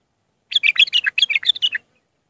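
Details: Mandalawi-style song of a raw Iraqi bulbul, meant for teaching bulbul chicks: one lively warbled phrase of about ten fast, high, fluty notes lasting just over a second.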